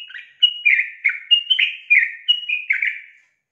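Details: A female sooty-headed bulbul calls out to lure a male into song. A steady chain of about twelve clear, slurred chirps, high notes mixed with lower dipping ones, continues without a break. The background is quiet.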